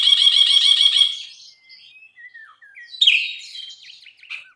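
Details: Masteran tutor recording of a gacor Brinji (bulbul): opens with a fast rasping trill of rapid repeated notes, fading into soft thin whistles, then a loud burst of jumbled chattering phrases.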